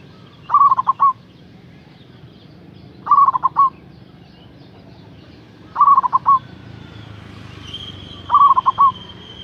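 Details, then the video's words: Local zebra dove, energetic and loud-voiced, calling to draw a rival: four cooing phrases, roughly every two and a half seconds. Each is a quick run of about five stuttering, rolling coos on one mid pitch. A faint whistle rises near the end. "Suara Perkutut Lokal GACOR Suara Besar Ampuh memanggil LAWAN"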